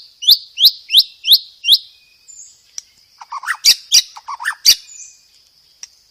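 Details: White-rumped shama master song for training cage birds, full of varied phrases: five loud downslurred whistles in quick succession, then a pause and a burst of harsh, crackling notes mixed with lower warbles, over a steady thin high whine.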